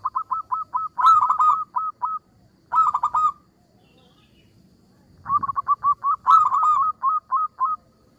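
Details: Local zebra dove (perkutut), an active singer with a sweet, small voice meant to make rival birds answer: runs of quick, evenly spaced mid-pitched cooing notes broken by louder rolling clusters, with faint low background rumble.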